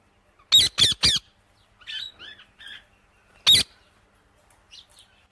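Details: Ringneck parakeet letting out three rapid, piercing screeches, then a few softer chirping notes and one more harsh screech. Quiet chirps trail off at the end.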